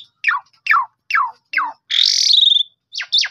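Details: Asian pied starling singing, recorded on a phone to encourage other starlings to sing: four sharp downward-sweeping whistles about half a second apart, then a long harsh buzzy note and two final squeaky chirps.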